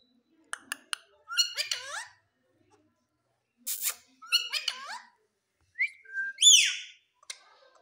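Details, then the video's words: Pet Indian ringneck parrot talking: sharp clicks, then harmonic chattering phrases that fall in pitch, ending in a loud arched squawk and a short whistle, with silent gaps between bursts. "Parrot speaking mithu mithu| Green Parrot talking"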